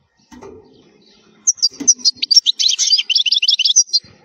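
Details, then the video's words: European goldfinch in strong, clear wild (khalwi) song, used for teaching young goldfinches to sing: a rapid, high, tinkling twitter of liquid notes and buzzy trills lasting about two and a half seconds after a faint low rustle. "الحسون الخلوي تغريد قوي صوت عالي خـــــــالي من الاخطاء"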